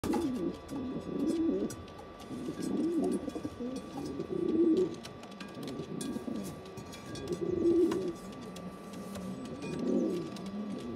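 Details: Young pigeons, a small poorly developed youngster feeding bigger, well-developed young pigeons; low, wavering squeaky tones come in bursts every few seconds, with faint rustling between them.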